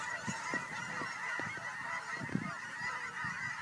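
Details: A large flock of geese coming home to Fern Ridge in March 2012 gives an unbroken, busy chorus of honks, a far-off massed clamour holding steady, with faint low thumps beneath.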